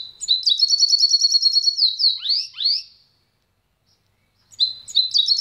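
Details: The pintagol pours out a steady rolling trill that breaks into several downward-swooping notes, falls silent for over a second, then resumes the same rapid trill.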